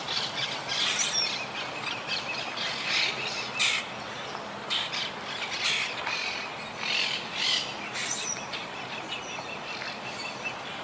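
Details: Wild Quaker parakeet colony high in trees, regrouping since hurricane Irma in 2017; overlapping raspy squawks and chatter from several birds over a steady noisy background.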